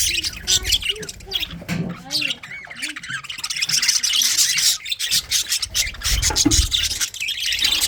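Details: Budgerigars in a colony setup squawk and chirp in a thick, overlapping chorus, with short curved whistled notes standing out early on against the constant high twittering.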